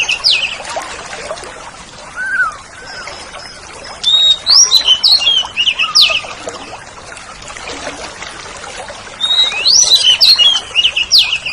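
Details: Oriental magpie-robin, a kept songbird, used to train pet birds: two bursts of quick, high, varied chirps and whistles with scattered softer notes between them.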